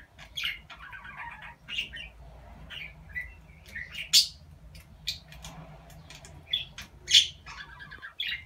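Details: Pet talking budgerigar, recorded for a compilation meant to coax other budgies into speaking, with phrases such as "aşkım" and "kuşum"; scattered bright chirps and short warbled bursts separated by brief pauses, with a faint low hum beneath.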